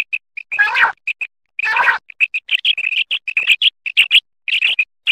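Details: Quail giving two harsh, buzzy bursts, then a rapid, uneven series of short, sharp chirping notes continuing to the end; nothing else audible.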